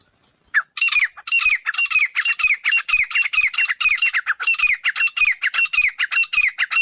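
Grey francolin giving a fast run of harsh, squawking notes, about four per second, loud and unbroken for six seconds.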